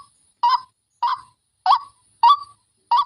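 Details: Fierce lure call of a white-breasted waterhen: five loud, clipped, croaking notes spaced about every half second against a quiet background.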